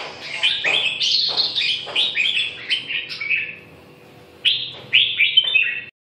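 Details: Red-whiskered bulbul singing a quick string of fluty, bouncing whistles, then falling silent briefly before two more bright phrases close the sequence.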